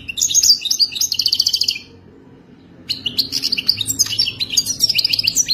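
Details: European goldfinch in wild-type song, used for mating: quick tinkling twitter and trilled notes, a two-second silence, then a further burst of liquid chattering phrases.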